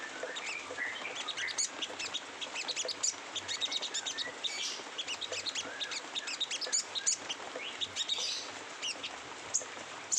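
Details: Sogon delivering rough "ngeriwik kasar" twittering: fast, scratchy high-pitched chips tumbling in quick succession with short rising whistled notes mixed in, intense and unbroken over a soft low hum.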